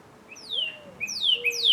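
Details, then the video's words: Northern cardinal song: clear whistles slurring downward, starting slowly then coming in quicker pairs, with a faint low steady tone underneath. "Sound of Northern Cardinal"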